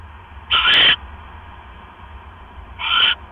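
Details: Two hoarse, hissing owl screeches about two seconds apart, given at night as a rat is brought to the mate; a low steady hum underlies the calls.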